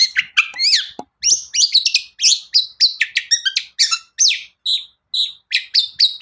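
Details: Rapid long-tailed shrike song meant as a lure for other shrikes: clipped, scratchy notes and short whistles given in quick regular pulses, ending in repeated steady whistled notes.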